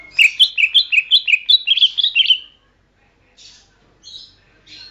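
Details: Greater green leafbird song for training songbirds: a fast run of bright chirping notes about three per second, then silence with faint scratchy sounds.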